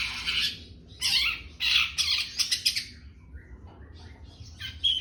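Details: Young long-tailed shrike giving loud rasping bursts and rapid grating chatter, then softer scattered chirps and a final harsh note.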